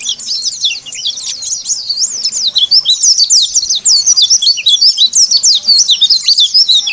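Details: Oriental white-eye, rival-provoking call: loud, rapid high twitters and looping whistled chirps, about three per second, irregular and excited.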